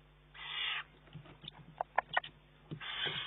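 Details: Juvenile Eurasian eagle-owl taking food from its mother's beak, June 2011. Two loud hoarse hisses frame a run of sharp, short clicks in between.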